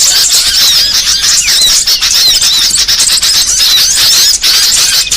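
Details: Lure for catching small birds: a thick wall of shrill, overlapping chirps and brief curving whistles from numerous birds, nearly constant, with a short dip just after four seconds.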